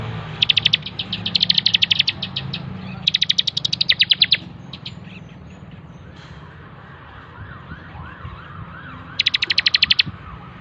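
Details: Master recording of a bar-winged prinia (ciblek) for training birds, giving three bursts of rapid high trilled notes separated by pauses, with faint rising whistles from another bird in the gap.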